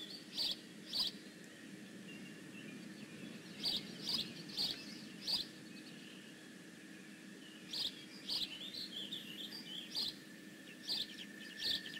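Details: Bald eagles at the Decorah North nest on 15 May 2017. Clusters of short, high chirping notes come in bursts of two to four every second or two, over a low steady hum and faint outdoor background.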